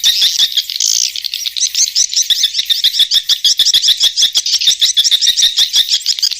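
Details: Swiftlet twittering: a fast, continuous stream of high chirps and chattering notes, several every second, running without pause.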